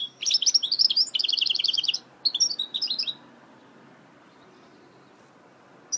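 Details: Goldfinch mule song, a quick series of twittering notes with a steady run of repeated chirps, a short break, a few more chattering notes, then near silence.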